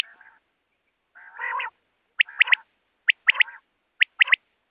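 A common quail gives soft, low growling notes, then three quick, sharp liquid three-note phrases, 'wet-my-lips', about one second apart.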